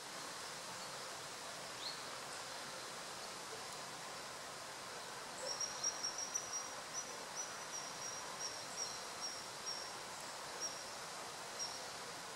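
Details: Common kingfisher hunting on the Wieprzówka river gives thin, very high, piercing whistled notes in a quick run over the second half, against a steady hiss of wind and background noise.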